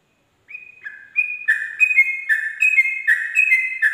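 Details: Sooty-headed bulbul singing in the rapid ropel style at dawn, a tutor recording for training birds; after a half-second of silence, slurred whistled notes near two kilohertz begin and build into quick alternating high-low pairs.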